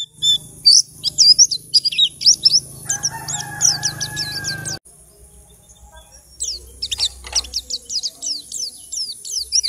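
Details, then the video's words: Captive white-eye, bought from a crowded group cage, in full song after two weeks. Bursts of high, quick, downslurred notes, broken by a brief gap, with a faint steady whistle-like tone behind. "Pleci Ombyokan 2 Minggu Gacor"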